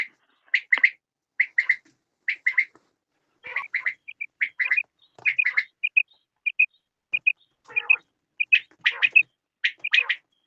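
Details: Batair quail voicing well-spaced pairs and triplets of scratchy chirps. Single bright pips are scattered between the groups, with short silences between bursts.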